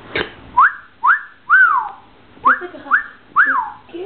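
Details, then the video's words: Pet cockatoo singing and dancing indoors: a series of about seven clear whistled notes, each swooping sharply upward then sliding down, repeated roughly every half second after a short percussive tap. "התוכי קקדו שר ורוקד"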